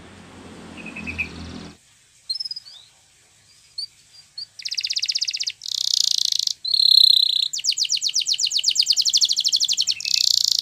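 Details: Canary song played for training canaries to sing. A quiet low rumble and a few thin chirps come first, then loud, fast, buzzy trills and rolling high notes from about halfway through.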